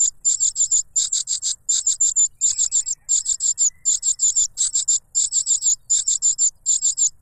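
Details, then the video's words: A cuckoo chick clamours for food from its foster parent, giving piercing high-pitched chirps grouped in short bursts of about four, each burst following the last after a brief gap. "The cuckoo bird is too noisy when trying to grab food杜鹃鸟抢食太吵闹了"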